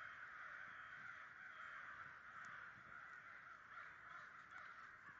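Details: About 100 American crows massed together in New Jersey in 2011, producing a dense, steady roar of overlapping caws that cuts off abruptly at the end.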